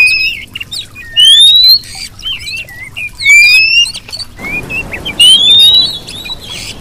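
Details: Oriental magpie-robin female whistling, used as a lure to provoke males into singing; clear whistled notes, some rising and some falling, mixed with short chirps in quick bursts, and a steady hiss of background noise in the last part.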